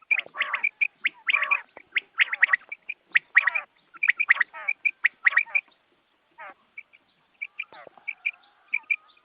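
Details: Morning quail calling used for hunting: buzzy, rattling bursts with short bright chirps, busy in the first half, then thinning to scattered single notes.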